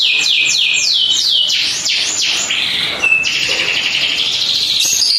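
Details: Panda-coloured canary in vigorous song: a series of loud descending whistled sweeps, then a long rolling high trill, all close and loud.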